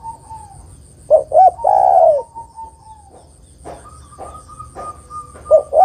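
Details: Female spotted dove calling the male: two short hoarse coos followed by a long, drawn-out falling croo, repeated later in the clip, with a thin steady whistled tone running in the background.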